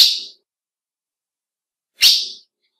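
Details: Call of a female ultramarine grosbeak, used to stir up males: two short, harsh, high chips about two seconds apart against a silent background.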